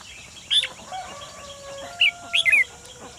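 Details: Decoy red-whiskered bulbul singing at a trap set to catch wild birds on 28 June 2020: sharp clear chirps spaced about two seconds apart, then a quick double burst, with a thin steady tone running underneath.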